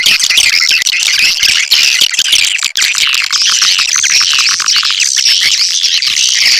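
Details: Swiftlets in a lure call recording, an unbroken, busy mass of high twittering and buzzy chirps, loud and steady throughout with only one brief dip near the middle.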